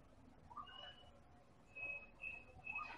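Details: White-rumped shama (Medan murai batu) lure recording of a highly active singer. It gives clear, pure whistled notes, several held steady and high, with a lower fluting phrase between them over faint background hiss.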